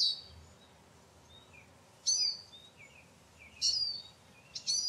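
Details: Eurasian siskin (Carduelis spinus) calls: three sharp, high squeaky notes with whistled tails about a second and a half apart, plus faint softer chirps, over steady background hiss.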